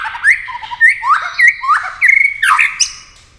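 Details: A white-rumped shama in speed competition singing, wings flashing and tail moving constantly, delivers quick upslurred whistles and twisting phrases in rapid succession, ending in a fading note.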